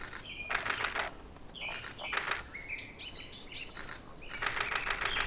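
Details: Eurasian wren at the Ōbora spring, Lake Yamanaka, on 21 April 2019: bright, high whistled notes and fast trills between several rough, splashy bursts that may be water or wingbeats.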